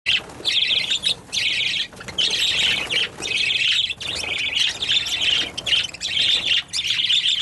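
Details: Birds making loud noises: a dense, shrill chorus of overlapping squawks and chirps in bursts of one to two seconds, broken by brief pauses.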